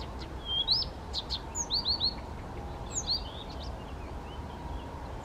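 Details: Spontaneous song of a male Blyth's reed warbler, first recorded in the Czech Republic on 19 June 2014 near Těchařovice; quick series of four slurred upward whistles, then scattered chirps and short trills above a low droning background.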